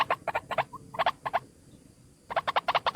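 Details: Single White-breasted waterhen lure call: harsh, croaking notes in quick pairs and short bursts, a near-silent gap of about a second, then a fresh run of rapid rasping notes.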